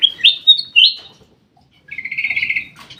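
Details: Black-crested bulbul in an aviary: clear, ringing whistled notes rising and falling, a short pause, then a rapid beaded trill of about ten pulses.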